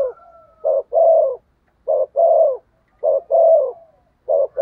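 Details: Decoy spotted dove cooing to attract wild doves: a short note followed by a long rolling coo, repeated about every 1.3 seconds, loud and close, with a thin drawn whistle at the start.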